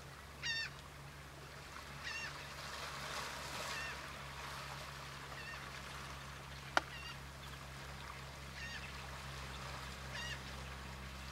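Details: Black-bellied plover at Port Mahon, Delaware, on 24 May 2018: short nasal calls with stacked harmonics, several spaced through the passage about every two seconds, over a steady low hum and background noise.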